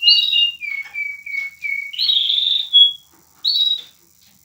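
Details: Canary and linnet hybrid singing a run of clear whistled notes: a brief buzzy trill, then a string of short flat whistles, a longer rich warbled phrase, and a final bright phrase after a pause.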